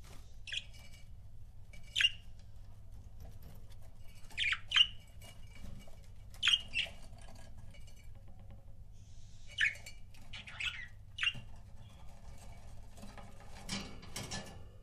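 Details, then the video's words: Pet budgerigar couple chirping: short sharp squeaky chirps, singly or in quick pairs every second or two, over a steady low hum. "CUTE BUDGIE COUPLES"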